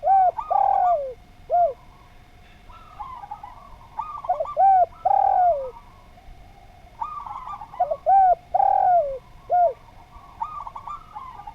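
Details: Spotted dove (derkuku) in lively, melodious song used as a training recording for cage birds; three-part coo phrases, each ending in a drawn-out falling croon, repeat about every three to four seconds over softer background cooing.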